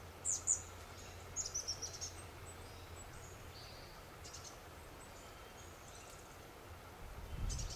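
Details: Chestnut-backed chickadee ruffling its feathers, spreading its tail and preening in the sun; brief, very high thin chips, two quick notes then a short run of four, followed by faint high twitters over a soft low rumble.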